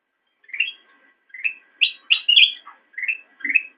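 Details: Black-crested bulbul song for training kept songbirds: a sequence of rising warbled notes climbing into louder, scratchy high phrases, then dropping back to softer, lower rolling notes.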